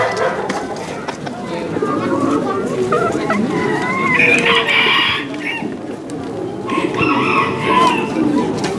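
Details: Belgian Bearded d'Uccle chicken, a bantam breed, at an international poultry show in Saint-Omer, France. Hoarse crowing phrases rise and fall amid the constant din of a crowded hall, with many other fowl calling, clucking and people chattering throughout.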